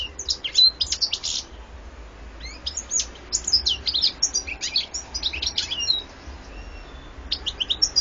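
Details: European goldfinch pouring out twittery, metallic song in uneven bursts, rapid high notes clustered between short gaps, steady faint hum underneath.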